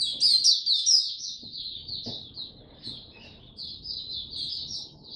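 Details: Singapore white-eye (mata puteh) starting to sing again, July 2023; a rapid, high, twittering warble of thin chirps and trills, running almost without pause, with faint low background noise.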